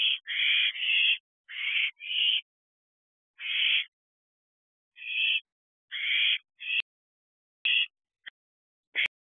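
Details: Nest-box owlets calling at night, 29 June 2023, 3:22 am: irregular series of noisy, breathy screeches, some doubled, plus a few sharp clicks toward the end.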